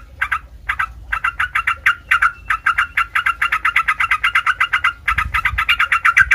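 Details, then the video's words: Sooty-headed bulbul, a recording used to provoke other bulbuls into answering noisily: a fast run of short, bright chirping notes, about four each second, steady after two brief early pauses, with faint low rumble beneath. "MASTERAN SUPER HANDAL AHLINYA BIKIN TRUCUK NYAUT RIBUT"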